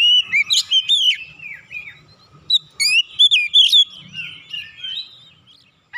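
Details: Oriental magpie-robin, aroused and insistently running through its 'isian', meant to provoke other birds into singing: bright, loud whistled phrases and snappy chips in clusters about every second, trailing off into softer warbling before a last sharp note.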